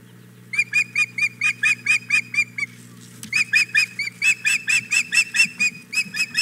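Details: Hog Island Boathouse, 4 May 2017, about 9 am: a female osprey wants the male's fish, giving steady strings of shrill, slightly downslurred whistled chirps, roughly two per second, with a brief break midway.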